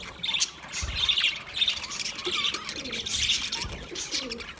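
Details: Budgies chirping, played for a lonely bird: dense, continuous chatter of busy scratchy chirps and squawky notes, high-pitched and overlapping, with soft lower warbled notes in between and no pauses.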